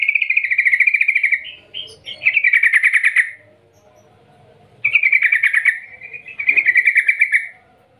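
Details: Long ngerol ngetir gacor call of a yellow-vented bulbul for luring other bulbuls to sing: rapid rolling trills in two long phrases separated by a quiet pause, each ending in a bubbly flourish.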